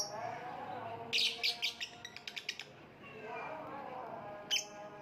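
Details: Lovebird giving a burst of sharp, shrill chirps: a dense cluster of harsh notes followed by a quick run of short clicking chips, then a lone chirp near the end, over steady low humming background tones.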